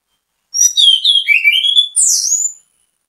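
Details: Anis kembang, orange-headed thrush, singing loudly as bait song to set other thrushes off: a run of clear whistled slurs dropping in pitch, then a sharp rising sweep and a sustained high whistle.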